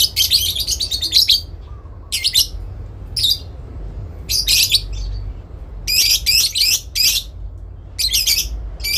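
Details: Parent lovebird in a long ngekek exchange, calling out to a rival bird: repeated harsh, buzzy squawk bursts and quick stuttering chatter, coming in irregular groups throughout.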